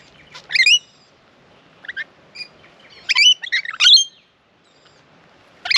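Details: Rainbow lorikeets in a flock visiting a bird bath in Australia; sharp shrill screeches in scattered bursts separated by quiet stretches, with a few softer chips between.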